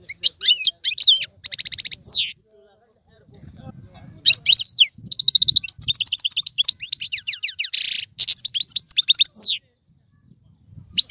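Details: European goldfinch song meant to stimulate a pet goldfinch to sing: bursts of high, rapid twittering and buzzy rattled trills separated by short silences, with one harsh noisy note in the middle of a long phrase.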